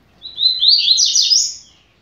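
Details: Double-collared seedeater song for training young birds: one short, high, rapid phrase opening with thin whistled notes that run into a dense, slightly harsh warbled flourish.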